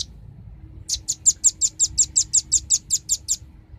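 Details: High, clear velvet-fronted nuthatch notes from a bird-attracting lure recording: after a brief pause, a quick regular sequence of about fourteen sharp chips, around six per second, fading slightly at the end.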